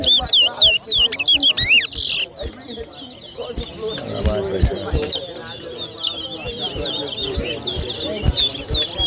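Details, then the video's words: Towa towa (chestnut-bellied seed finch) in a 2023 bird whistling competition in New Amsterdam, Berbice, Guyana, two birds matched; rapid slurred whistled notes rising and falling in the first seconds, then crowd chatter and noise take over. "TOWA TOWA BIRD WHISTLING COMPETITION"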